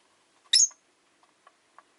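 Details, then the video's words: Rosy-faced lovebird kept as a pet on a relaxed afternoon gives one sharp, shrill chirp, with faint soft ticks and clicks after it. "Lovebird Chirping Sounds"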